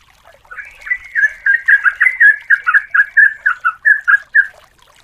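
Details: Female yellow-vented bulbul calling to the male, a lure recording. One lively run of quick, slurred, bubbling notes, roughly two per second, builds and then stops abruptly. The background is quiet.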